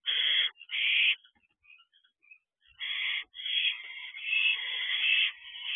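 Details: Barn owl owlet practising wing flaps in the doorway of a nest box on 13 June 2023 at 8:18 pm; harsh, raspy hissing screeches in bursts, some short and some drawn out over a second or more.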